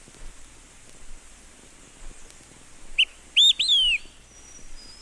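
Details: Olive-sided Flycatcher giving one loud whistled phrase of three notes: a brief opening note, a rising second note, then a long downward-slurred final note, over faint background hiss.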